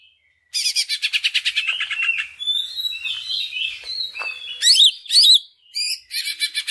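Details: Greater green leafbird lure song to make other leafbirds sing: a rapid rattling run of repeated notes, then a warbled medley of thin whistles and chatter, and loud slurred whistles near the end.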